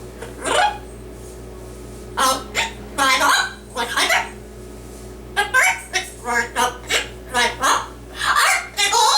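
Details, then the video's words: Yellow-naped amazon parrot, a pet male, mimicking speech during his singing and Dr. Seuss recitation skit; quick raspy, word-like bursts, rhythmic toward the end, roughly one per second, indoors with low hum. "Parrot Singing and Reciting a Dr. Seuss Book"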